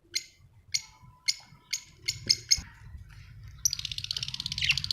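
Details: Budgerigars kept as pets at home: a series of short, evenly spaced chirps at a steady pace, followed by a burst of rapid, buzzy chatter, with faint low rumbling behind.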